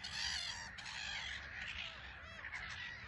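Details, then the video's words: Black-headed gulls in a bustling colony on a small island at RSPB Frampton Marsh, birds taking off and landing; dense overlapping harsh, squealing calls with no gaps, several voices at once forming a continuous chorus. "Black-Headed Gulls"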